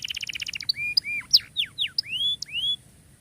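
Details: Canary singing for training canaries that have gone quiet: a quick trill of repeated notes opens, followed by a string of clear whistled slurs, some rising, some dropping, with short sharp chips between them.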